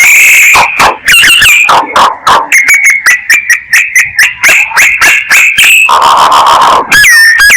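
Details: Lure calling by a myna: dense chattering of clipped, metallic notes repeated about four times a second, broken by a hissing rasp and ending in upswept whistles.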